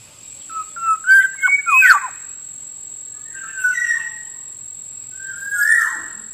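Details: Black-naped oriole call used to lure birds in the wild: a quick run of sharp, falling, slurred notes, then two drawn-out, fluty whistles after pauses, with a constant thin high tone in the background.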